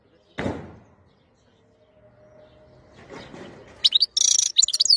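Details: A European goldfinch sings, bursting into a quick, high, tinkling twitter of rapid liquid notes near the end, after a single dull knock and a soft hum.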